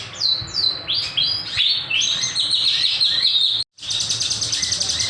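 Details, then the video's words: Kinoy singing gacor with nembak bursts and sharp beset notes, recorded as a master or lure. Rapid high sweeping whistles and twittering, then a brief cut and fast buzzy trilled notes. "Masteran / Pancingan Burung Kinoy Gacor, Nembak, Beset Tajam"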